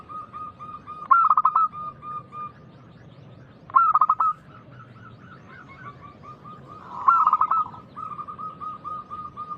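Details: Local zebra dove singing loudly in a big voice, used as a lure to set other doves singing: three loud rolling bursts of rapid coos at about 1, 3.7 and 7 seconds, linked by a steady run of soft, evenly spaced coo notes.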